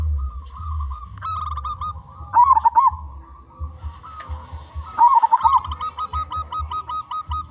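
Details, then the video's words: Loud local zebra dove singing actively, meant to draw in other zebra doves. Rolling, quavering coo phrases recur about every two and a half seconds among trains of flat tonal notes, over low humming and thumping noise. "Perkutut Lokal Gacor Suara Besar"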